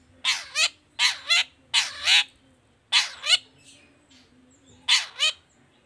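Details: Long-tailed shrike 'toet toet' song for prompting other shrikes: harsh, buzzy, doubled notes given in pairs about once a second, with a brief pause before a final pair.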